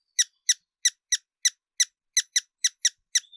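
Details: Hummingbird calls: a series of about a dozen sharp, high squeaky chips, each a short bright burst, repeated roughly every third of a second. A thin steady whistle follows at the end. Otherwise quiet.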